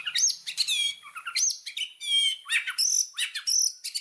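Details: Indonesian white-rumped shama singing a lure song. Varied high phrases mix clear rising and falling whistles with harsh scratchy notes, delivered in quick separate bursts.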